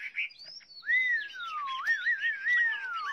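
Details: Chinese hwamei producing a long, smooth whistled glide that rises, then slowly descends, with wavering notes near the end and softer overlapping whistles in the background.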